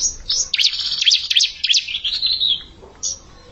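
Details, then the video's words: Bar-winged prinia challenging an established rival delivers a short, continuous, high buzzy trill of chirps that tapers off, followed by one brief final note. "Ciblek Bahan Nantangin Ciblek Mapan"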